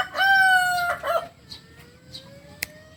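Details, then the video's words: Kukuak Balenggek rooster, a native chicken of Solok, gives a loud harmonic crow: a long, level, ringing note followed by a short broken run of stepped syllables, then quiet with faint background noise. "Ayam kukuak balenggek ayam asli solok"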